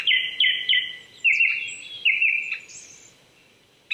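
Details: Japanese thrush singing on an April 2019 morning at 800 m in the Saitama Prefectural Forest, Chichibu, Saitama, Japan: clear fluting whistled phrases, each quickly repeated two or three times, then a pause and a new phrase.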